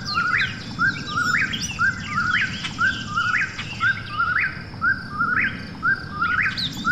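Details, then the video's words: Eastern whip-poor-will at night, its sharp rising whistle of three quick notes repeated regularly about once per second, with faint higher bird notes and low ambient rumble. "Eastern Whip-poor-will Call"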